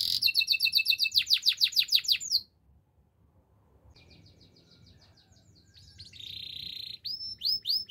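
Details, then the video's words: Canary bursts into a rapid buzzy trill of repeated notes, falls silent for several seconds with only a faint distant twitter, then resumes with a flat rolling tone and arched whistles. "Bird sounds canary chirping"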